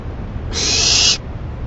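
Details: Owl late at night on 28 May 2012 getting a delivered rabbit to eat; one drawn-out, noisy hissing screech lasting under a second, with quiet low hum before and after.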